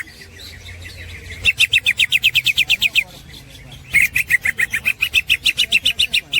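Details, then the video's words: Melodious snickering of a green leafbird used as a master recording for songbirds: two long series of quick, evenly repeated sharp notes, roughly four per second, with soft low background hum. "the master of the green cucak bird is full of melodious snickering"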